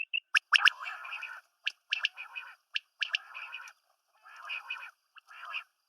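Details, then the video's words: Female and male quail calls mixed: short sharp clicks interleaved with rasping, buzzy chattering phrases of uneven length, quiet background. "Female Batair Calling | Male Batair Sounds | Mix Calling | Batair Ki Awaz | Female Quail Sounds"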